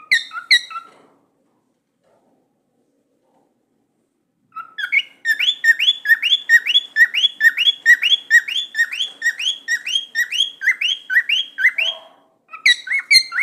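A cockatiel gives a rapid run of bright, chirping whistles, repeated about twice a second.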